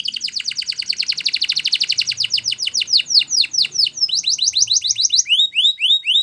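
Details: Spanish Timbrado canary song: a long, rapid series of chirping notes that gradually slows and sweeps down, ending in spaced, upward-hooked notes repeated about twice a second.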